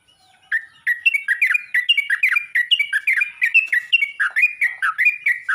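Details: Yellow-vented bulbul calling to other bulbuls: after a faint opening note, a long, lively series of loud slurred chirps, bending up and down, tumbling almost without pause to the end.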